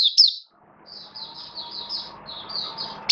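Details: Caged oriental white-eye kept as a hobby songbird in Singapore, opening into song on 11 September 2022 while slightly off form: sparse, thin, high chirps and short slurred notes with quiet gaps and faint low room hum.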